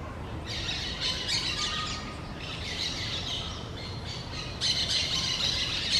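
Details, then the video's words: A pair of parrots singing among the large trees of a low forest, giving bursts of harsh, buzzy chatter in uneven runs, with short gaps and a steady background hiss. "couple of parrots sing between the large trees of the low forest"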